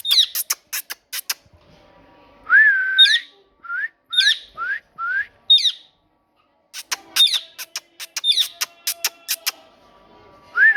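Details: Parrot talking among bursts of sharp clicks: a long dipping whistle, four short rising whistled notes, more clicking, then a final upward whistle.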